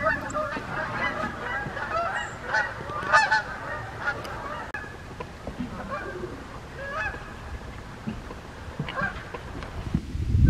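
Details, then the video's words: Wild Canada geese flying over in the morning in the USA, giving repeated nasal honks, often overlapping, in loose bursts through the clip, over a low rumbling background. "Canada Wild Geese flying in the morning"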